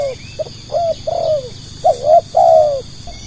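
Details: Spotted dove used as a decoy to attract others, cooing in a quick series: small short notes building to longer, louder, slightly falling coos, with a low background rumble.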